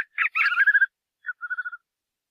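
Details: Song of the white-eared puffbird: a few scratchy notes leading into a steady run of pulsed, even notes, then a short pause, one clipped note and a brief trill of about five pulses.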